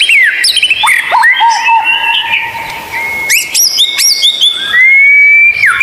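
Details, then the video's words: White-rumped shama song, a rare strange-sounding tutor recording used as therapy for captive birds reluctant to sing: loud, clear whistled notes, some long and level, others sharply rising or falling, with abrupt edits between phrases. "Masteran murai batu langka Suara aneh super gacor buat therapy Murai malas bunyi"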